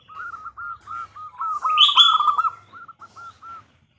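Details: Female zebra dove calling for a male, played as a lure: quick series of short, clipped cooing notes at a steady pitch, briefly overlapped in the middle by a higher, sharp chirp from another bird.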